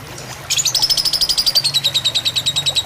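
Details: Lovebird singing in fighter style on a tutor recording with trickling water to calm birds: a sudden burst of shrill, fast chattering pulses at half a second, its ringing tone sliding gradually lower, over a low steady murmur.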